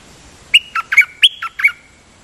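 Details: Singing dok taeng bird used for decoying, delivering six quick, harsh-edged chirps in a little over a second, with a doubled note in the middle, pitch flicking up and down.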